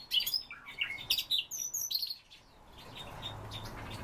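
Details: Siberian rubythroat singing a rapid jumble of high, sharp whistles and scratchy notes for two seconds, then faint background hiss.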